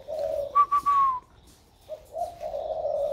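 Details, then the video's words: Spotted dove of about one year, hand-raised, just beginning to coo in a warm 'thổ' voice. A low coo is followed by a stuttering high falling phrase, a pause, then renewed soft low cooing. "Cu gáy mới nổi giọng ẤM"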